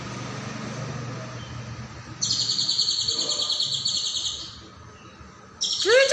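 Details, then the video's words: Caijo in full song as a master for other cage birds: low background hum, then a two-second high pulsed buzzing trill, quiet, and a fresh trill starting with a sharp downward-sweeping note. "MASTERAN CAIJO GACOR"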